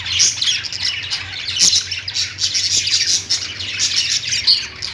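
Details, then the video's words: Lovebirds chirping in a busy flock chorus, with shrill squawks and quick tweets layered over one another, the chatter swelling and easing every second or so. "Lovebird Singing & Chirping sounds"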